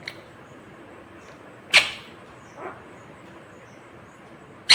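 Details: Green rose-ringed parakeet giving two short, harsh screeches about a second apart, with a fainter squawk between them, over quiet indoor background.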